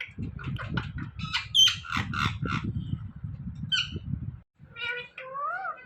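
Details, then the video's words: Indian ringneck parrot trained to talk, saying "Mithu": a run of quick chattering and squawky syllables, then a pause and drawn-out, nasal, wavering speech-like notes, with low background noise. "Talking Parrot Saying Mithu Mithu"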